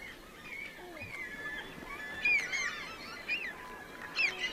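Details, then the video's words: Bonaparte's gulls flying quickly overhead at Katmai's lower river in late September, giving harsh, rasping, tern-like notes in scattered bursts, loudest near the end, over a steady rushing background. "You're hearing some Bonaparte's gulls that are flying overhead."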